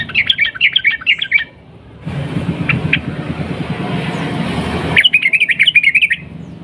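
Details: Sooty-headed bulbul singing a long rapid 'ropel' phrase meant to stir other bulbuls to sing: quick chattering, warbled notes at the start and again at the end, separated by a stretch of loud low traffic-like rumble.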